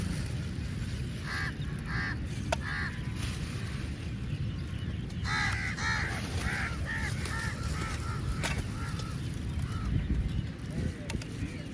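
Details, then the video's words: Crows feeding together, giving a run of short harsh caws in two bursts, several in quick succession, over a steady low rumble of background noise. "Crow sounds"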